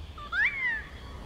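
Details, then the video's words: An adolescent Wedge-tailed Eagle in Plenty Gorge, Melbourne, calls at sunset after a hot day in a light breeze. One clear thin whistle swoops sharply upward, then glides slowly down in pitch, with soft wind behind it. "Young Wedge-tailed Eagle"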